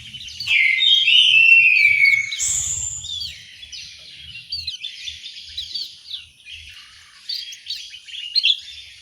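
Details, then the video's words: Song of an orange-headed thrush kept in an aviary in Malang, East Java: a loud, descending whistled phrase opens, then a high squeal and a run of quieter varied chirps and twitters. "suara burung anis merah"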